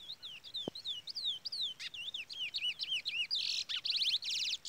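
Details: Trola-style song from a brown pardo Chestnut-bellied Seed Finch. A chain of slurred, wavering whistles speeds up and ends in harsh buzzy trills, with a chick peeping in the background.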